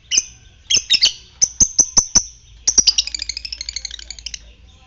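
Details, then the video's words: Fighter lovebird calling as a lure to prompt other lovebirds into ngekek: shrill chirps in pairs, then a steady run of single sharp notes about every quarter second, breaking into a rapid chattering trill that slowly fades. "Pancingan lovebird ngetik fighter merangsang ngekek"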